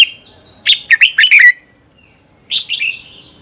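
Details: Red-whiskered bulbul singing in competition style in the morning, used to stimulate birds to sing: a fast run of five or six bright, bouncy whistled notes, a short gap, then a briefer slurred phrase.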